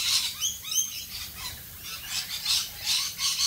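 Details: Rainbow lorikeets calling in Australian rain: shrill, harsh squeals repeated in uneven pulses about twice a second, loudest near the start, over a steady hiss of rain.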